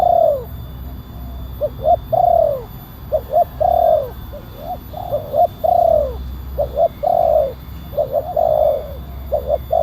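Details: Calling spotted dove used to lure and train wild doves: a repeated phrase of clipped double coos followed by long drooping notes, cycling about every two seconds, deep and hollow, with a low rumble and faint electronic hum.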